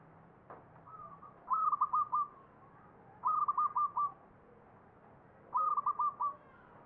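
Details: Ngepat song in the Mataram Jogja style from a perkutut, or zebra dove: three whistled phrases, each a soft lead-in then four or five sharp stuttering coo notes, about two seconds apart, with a click near the start.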